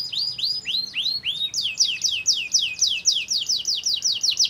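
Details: Canary song used as a lure to provoke other canaries to sing: rapid high rising-then-falling whistled notes, repeated about four per second, shifting midway into a faster, brighter trill of repeated sweeping syllables.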